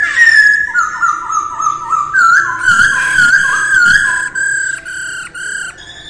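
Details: Early-morning voice-training song of a masked laughingthrush, a steady string of clear whistled notes, gently falling and repeated in quick succession, ending in a series of short, rich, evenly spaced whistles.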